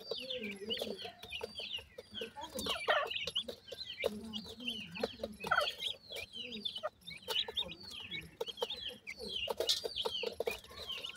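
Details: Grey francolin birds in a family group as chicks feed, producing rapid overlapping chirps and low clucking, steady busy calling with clicking and rustle in between.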